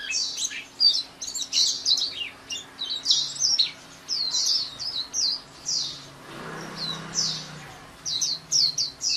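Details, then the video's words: White-eye pouring out a lively, jumbled twitter of high slurred notes in uneven bursts, with a brief low rustling noise in the middle. "SUARA MAHAL KICAU BURUNG PLECI"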